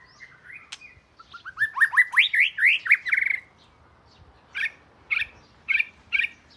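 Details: Oriental magpie-robin, southern Thailand, the first at home, delivering a rising sequence of rapid upslurred whistles that accelerates, then after a pause four separate loud short phrases about half a second apart.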